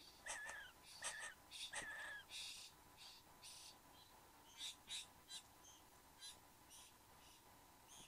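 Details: Satin bowerbird male and female at their bower in Australia, morning of 15 November 2014. Harsh buzzy bursts come in a quick irregular series, some with a short whistled tone, over a faint steady background hum.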